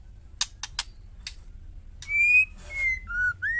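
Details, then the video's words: Female White-rumped shama provoking males to answer: three harsh, dry chack notes open, then a series of long, pure whistles, each held steady at a slightly different pitch. "panggilan murai betina hot jamin jantan bisu langsung nyaut..white rhumped shama"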